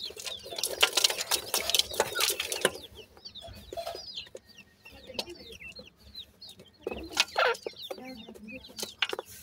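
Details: Francolin (teetar) chicks feeding: a loud clatter of rustling and pecking at first, then a run of high, thin, repeated peeps, with more knocking later.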